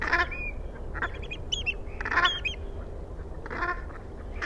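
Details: Brant goose calling: short harsh honking bursts spaced about a second apart, with high thin chirps from smaller birds between them and a low background rumble.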